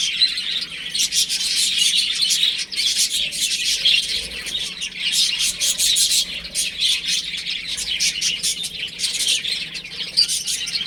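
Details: A flock of baby chickens at home, persistent high-pitched peeping in rapid overlapping bursts, with a brief quieter moment around the third second.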